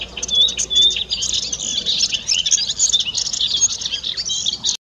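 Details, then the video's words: Spring song of a melodious warbler, newly arrived in the Iberian Peninsula to breed: a rapid, unbroken run of high, scratchy and twittering notes, mixing whistled phrases with harsh chatter, delivered without pause. "Zarcero Políglota cantando"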